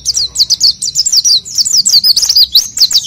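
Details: Oriental white-eye singing vigorously to lure untrained birds into song: a fast, unbroken chatter of high, sharp notes and quick descending slurs, roughly a dozen bursts in a few seconds, with a faint low rumble in the background.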